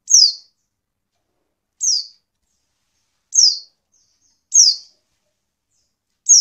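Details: High, piercing descending notes from a female pleci (white-eye), used to coax lazy caged males to sing; five calls spaced about 1.5 seconds apart, each a brief downward sweep, with no other sounds.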